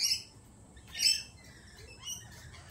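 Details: Lorikeet giving two short, harsh, high screeches about a second apart, followed by fainter chattering notes, with a quiet background.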